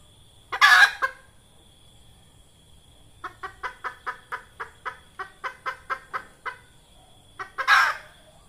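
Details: Red junglefowl hen whose call serves to lure birds for trapping; a harsh squawk, then a long, very regular series of short clucks, about four per second, and a final squawk, over a steady high insect hum.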